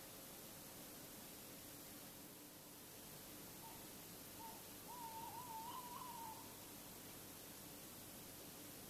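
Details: Tawny owl calling in the night at Bergen, North Holland, the Netherlands, 16 February 2016, 3:43–3:48 a.m.; brief soft notes lead into a long wavering, quavering hoot, against a steady hiss.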